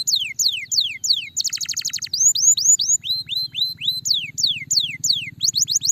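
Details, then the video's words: Singing canary, played to encourage a reluctant canary to sing, delivering falling whistled sweeps, a rapid rattling trill, then rising and falling whistle phrases repeated quickly, ending in more descending sweeps over a soft low hum. "Highly effective at stimulating the sound of a lazy canary"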